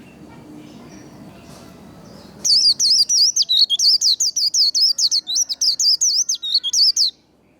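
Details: White-eye singing in the líu competition style, a recording played to fire up and train other birds: after quiet, a fast run of high, sharply looping whistled notes, about three per second, lasting nearly five seconds.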